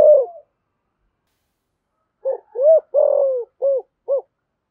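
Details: Spotted dove luring call in the 'thổ' voice: one soft coo, a pause, then a run of low rounded coos with a longer drawn-out note in the middle, ending in two short clipped coos.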